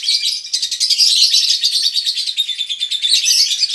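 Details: A colony of konslet lovebirds, males and females, in ngekek song meant to trigger other birds to sing. A shrill, buzzy chatter pours out almost without a break, pulsing slightly in loudness.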